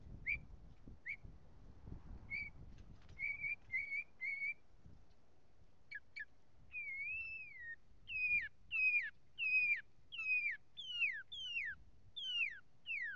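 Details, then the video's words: A northern mockingbird sings clear whistled phrases, repeating each several times before switching, and ends in a run of sharp down-slurred notes, with a low rumble early on. "Otro cenzontle cantador"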